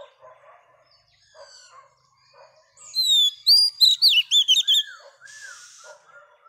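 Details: Female Oriental magpie-robin singing to stimulate males: soft scattered notes first, then a loud burst of rapid, sweet whistled notes sliding up and down, about eight quick syllables, ending in softer chirps and a brief hiss.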